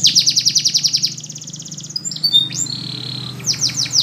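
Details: Spanish Timbrado canary training song: fast rolling trill of repeated notes, then a slower trill, sliding whistles and a long flat whistle, ending in falling notes, with constant low hum behind.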